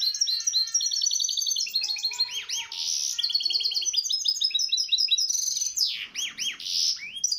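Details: Misto hybrid canary song used as a training recording for young birds: fast continuous warbling of rapid repeated chirp trills, buzzy rolls and sweeping whistled notes, high-pitched and varied, with no other sounds.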